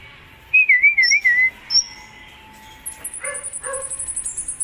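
A sunbird gives a quick wavering whistled phrase and thin high notes, then a long, very high, piercing trill with sharp chips underneath.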